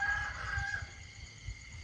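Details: Early-morning rooster crowing at a home while moon-watching at dawn, with other birds said to be calling: the fading tail of a crow, a steady harmonic tone that drops away after under a second, then low background rumble.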